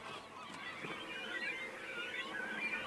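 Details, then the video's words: Cormorant breeding colony during the feeding period, with herons nesting nearby, keeps up a dense, unbroken clamour of overlapping harsh, nasal calls rising and falling without pause; cormorants are otherwise quiet birds. "En otras ocasiones, el cormorán es un ave tranquila y silenciosa. Pero durante el período de alimentación, hay un ruido terrible en la colonia."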